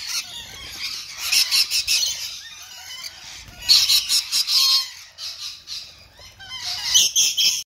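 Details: A small group of rainbow lorikeets tucking into apple, letting out chattering, grating squawks in clustered bursts, a louder volley near the four-second mark and another near the end.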